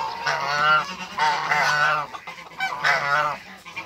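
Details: African geese, a pair kept on a waterbird farm, calling in harsh, wavering honks roughly every second, each slightly rising and falling in pitch, with short pauses between the louder bursts.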